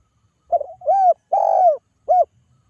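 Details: Lively spotted dove calling so that others answer, a single phrase of four mellow coos, the third longest and slightly falling, in a quiet setting.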